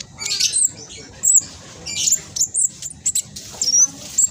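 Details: Spotted black sunbird in vigorous song, used to coax sluggish caged birds into singing. Very high, fast, scratchy twitters and thin squeaky notes come in short bursts, over a low background rumble.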